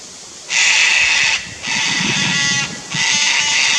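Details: A pair of Sulphur-crested cockatoos on the Fraser Coast, Queensland, Australia, upset at a Lace Monitor in a tree near their nest tree, giving three harsh, raspy screeches, each about a second long, with short gaps between.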